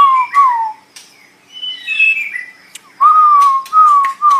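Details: White-rumped shama tutor song: pure, lower whistled notes that wobble and fall, a softer warbled phrase, then loud clear sustained whistles with sharp clicks mixed in.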